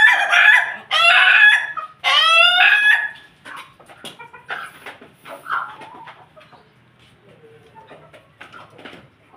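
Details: Ayam Ketawa chicken alongside a family of Pelung chickens: three loud, rich, harmonic crowing phrases in the first three seconds, followed by quieter scattered clucks and chatter from the flock.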